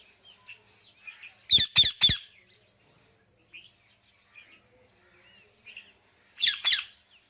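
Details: Parrot calling with a burst of three harsh squawks, quiet chattering and small squeaky notes in between, then two more rasping squawks later.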